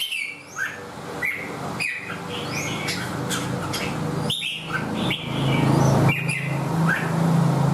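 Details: Singing red-whiskered bulbul, tail fanned and hugging the perch, delivers rapid chirpy whistled notes and short swooping phrases against a loud low engine-like drone that grows toward the end.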